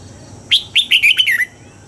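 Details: Red-whiskered bulbul in dawn song training, with one quick phrase of five or six clear, liquid whistled notes that step down in pitch over about a second, against a steady low hum.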